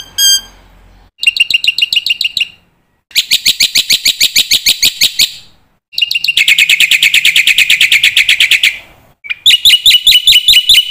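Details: Black-winged myna song packed with imitated phrases, intended to make young mynas quickly pick up new material; bursts of rapid rattling trills separated by short silences, ending in bright repeated chirps.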